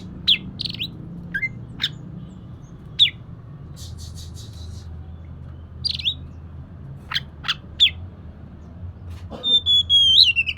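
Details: Oriental magpie-robin recording used as a lure to prompt a reluctant bird to sing: scattered sharp chirps and short buzzy notes, ending in a long high whistle with a quick rising flourish, over low background hum.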